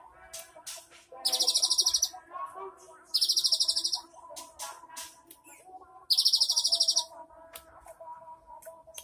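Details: Cinereous tit singing a rich 'isian' (learned filler) song, 3 April 2023: three loud, rapid buzzy trills high in pitch, each about half a second to a second long, separated by quieter pauses with faint background tones.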